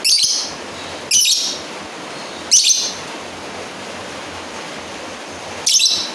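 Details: Lovebird calling out to a rival, giving four sharp, piercing high squeaks at irregular gaps of one to three seconds against constant hiss.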